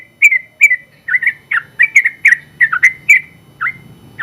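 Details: Persistent singing Yellow-vented Bulbul, a contest champion kept as a tutor bird: a burst of crisp paired chirps, some rising then falling, spaced roughly every third of a second.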